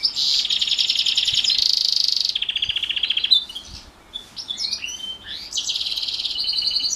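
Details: Morning training session of a house finch and canary hybrid, singing a fast rattling trill that breaks into sweeping whistled slurs and chirps, then resumes a quick repeated trill; high-pitched throughout with little background.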